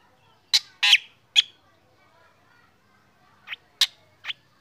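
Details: Black drongo sung in the morning while kept out for sunning, prompting other birds to join in: harsh, broadband chattering notes in two short bursts separated by a pause of about two seconds.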